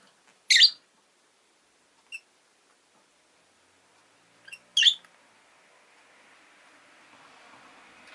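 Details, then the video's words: Pet rosy-faced lovebird giving two sharp harsh chirps and a tiny peep between them, then a rising soft hiss of background noise, possibly street traffic. "Lovebird Chirping Sounds"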